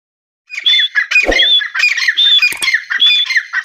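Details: Female grey francolin (Ortygornis pondicerianus) gives loud, harsh, squawking calls, about four grating notes in quick succession with a thin whistled overtone.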